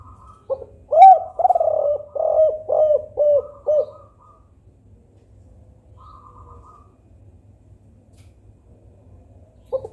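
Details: Spotted dove in the 'kuk 4' calling style, used to draw reluctant doves into calling: a loud run of low, hollow coos about half a second apart, then a quiet pause and a faint further coo.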